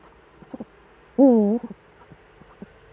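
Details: Eurasian eagle-owls, both returned, in the Eifel, Germany, on 11 March 2013 at 18:47. A single loud wavering call of about half a second rises among faint ticks and short soft notes.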